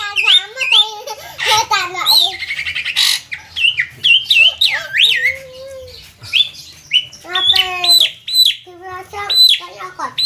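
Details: Jalak kebo, or Javan myna, in konslet gacor style pouring out a varied song of wavering whistles, buzzy rattles, chattering and slurred notes, with a steady low whistle midway and repeated sharp ticks near the end.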